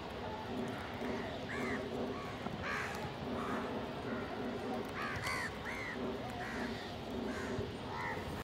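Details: Several crows feeding together, with a pigeon nearby. Short, harsh, arched caws sound singly and in quick doubled pairs every second or so, against a constant low hiss and rumble.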